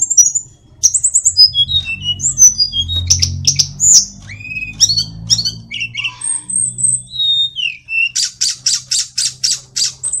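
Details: Hill blue flycatcher, known locally as tledekan or sulingan gunung, from Kokap, Kulon Progo, Yogyakarta, a small bird able to mimic many songs, delivering varied high whistles, slurred notes and chattering phrases, ending in a rapid burst of repeated buzzy notes.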